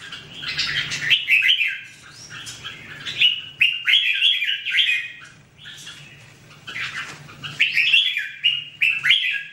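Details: Red-whiskered bulbul singing: loud, warbled phrases of three or four notes repeated through the recording, fluid whistles rising and falling, with short pauses between bursts.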